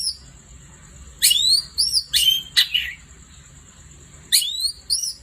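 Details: Vigorous night-time song of a long-tailed shrike: after a quiet start, loud rising whistles mixed with grating notes come in two clusters, about three calls per second, against a steady shrill background tone.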